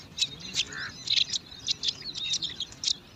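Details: Five bar-winged prinia chicks competing for food at their nest in alang-alang grass: short high scratchy chirps in quick irregular bursts, with faint thin whistles of other birds behind.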